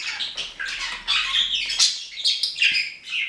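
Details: Budgerigar warbling in a fast, jumbled flow of chirps, buzzy squeaks and short whistles, barely pausing throughout.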